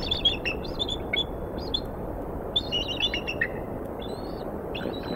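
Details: Female eagle and an unfamiliar eagle calling near a Decorah, Iowa nest after the male delivered a mammal, winter morning: repeated thin piping chirps in short bursts, some falling at the end, against constant broadband rushing noise.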